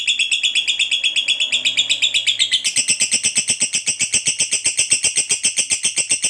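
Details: Long ngekek song of a fighter lovebird, meant to draw other lovebirds into singing: a steady stream of shrill, rasping chatter pulses, roughly four each second, shifting in tone partway through and continuing throughout.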